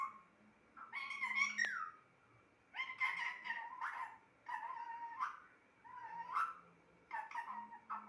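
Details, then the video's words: Pet parrot mimicking speech in a small room: five nasal, word-like bursts, each about a second long, with rising and falling inflections and short silences between. "Talking parrot"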